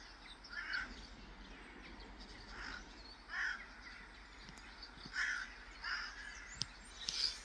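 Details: Caspian gull at Forsbacka landfill, Gävle, Sweden, on October 19, 2024, giving harsh, hoarse, crow-like calls at an uneven pace, roughly every one to two seconds, over a steady background hiss.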